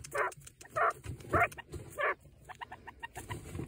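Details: A broody quail hen sitting on eggs, with one chick hatched, grumbles unhappily at a person too close, giving four harsh bursts about every half second, then softer, quicker clucks, over a low hum.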